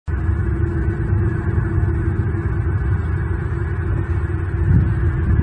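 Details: Heavy low rumble and steady wind-like roar from an outdoor nest camera, with a faint hum and no animal calls.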